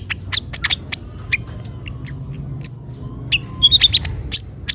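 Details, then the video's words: Chatty gacor lure song of a van Hasselt's sunbird (kolibri ninja): sharp, very high tinkling chirps and brief whistled slurs, delivered in uneven clusters over a soft low hum. "Pancingan suara burung konin gacor"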